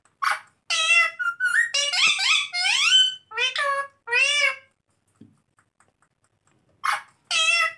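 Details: Pet ringneck parrot calling indoors: harsh, harmonic squawks and rising and falling screechy notes in a dense run, a short silence, then two more loud squawks.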